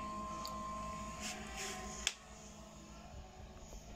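Quiet indoor room tone with faint hum, a steady thin tone early on, soft rustling, and one sharp click midway; no animal voice is heard.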